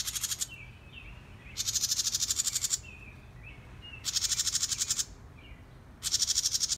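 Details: A House Wren scolding a person gives harsh, rasping chatters, each about a second long and repeated every two seconds, with faint soft slurred notes between them.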